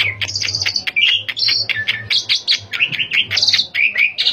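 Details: Asian pied starling singing continuously, a lure recording for captive starlings; busy mix of whistles, chirps and buzzy high notes in rapid succession, with a soft low hum underneath.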